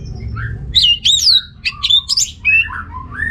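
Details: Orange-headed thrush in full song, Singaraja, Bali, meant to rouse unmotivated males: bright, swooping whistled phrases and quick slurred notes, high then dropping lower, delivered in rapid succession.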